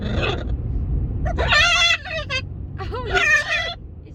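A macaw gives two raspy, speech-like bursts, each under a second, rich and nasal with wavering pitch, over a low background rumble.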